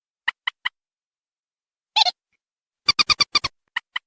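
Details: Lure recording of a waterhen: short sharp clicks in groups of two or three, one harsh grating burst, then a rapid run of six louder clipped notes before more clicks; silence between notes.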